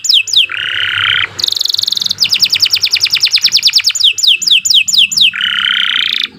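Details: Lively Atlantic canary (kenari) song for tutoring and prompting non-singing canaries: quick downslurred notes, a low buzzy trill, a high trill, a long rapid rolling trill, more downslurs and another buzzy trill.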